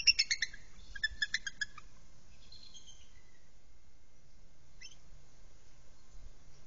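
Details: Adult female bald eagle nagging at the nest as the male joins her: two rapid bursts of high, thin, staccato chattering notes, a brief softer call, then a single short squeak and quiet.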